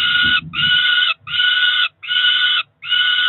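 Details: Two roughly four-week-old Peregrine falcon chicks at the Cromer nest, 2 June 2023, beg for breakfast with harsh, wailing screams, each well under a second, repeated five times in quick succession.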